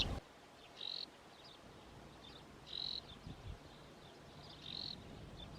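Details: Graceful prinia, a small resident bird of Saudi farms, during a male and female courtship display: short clear buzzy notes repeated about every two seconds over steady background noise.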